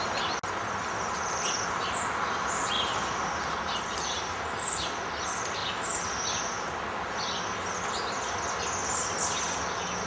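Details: Winter flock of Bohemian waxwings feeding on berry trees after arriving from the forest; many high, sibilant trilling whistles overlap almost continuously, with a few short falling notes, over dense hissing background noise.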